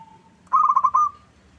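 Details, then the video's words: Short lure phrase of a local zebra dove: a soft lead-in note, then a brief trill of five fast, bubbling coos ending in a held tone. "Pancingan PERKUTUT LOKAL Agar Bunyi"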